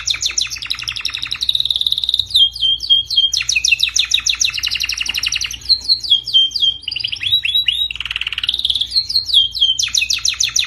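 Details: Canary training song, meant to be played so canaries learn to sing better: dense rapid trills and rolling chirps, with bursts of sharp down-slurred whistles and quick repeated notes in a continuous, varied flow.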